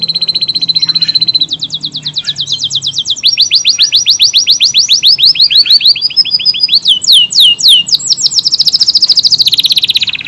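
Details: Singing Kenari AF canary with long unbroken song: steady buzzy trills shift into rapid, evenly repeated falling notes and back into fast rattles, continuing without pause for ten seconds.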